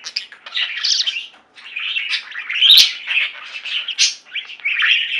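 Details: Singing flock of pet budgies: steady buzzy warbling chatter mixed with bright chirps and short whistles, one brief gap early on.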